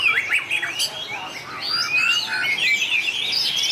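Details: White-rumped shama in a singing contest: a short burst of sweet, liquid whistles and fast slurred phrases, with a few sharp clicks near the start and a long smooth upward whistle midway.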